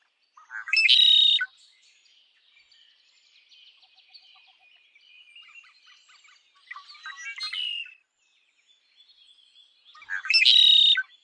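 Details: Red-winged blackbird repeating its song: three loud phrases, two short harsh bursts at the start and end and a longer buzzy trill midway, with soft twittering from other birds in between.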